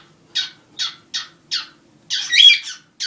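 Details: Two pet cockatiels, one black and one white, at night give harsh, rasping screeches: four short bursts about every third of a second, then a longer, louder tangle of overlapping squawks.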